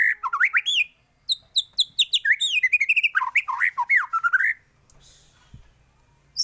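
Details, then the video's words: White-rumped shama singing a varied tutor song meant to teach other birds: quick swooping whistles and sharp chips packed into a dense phrase lasting about four seconds, followed by near silence. "MURAI BATU gacor full isian varasi paling cocok untuk masteran burung cepat bunyi gacor"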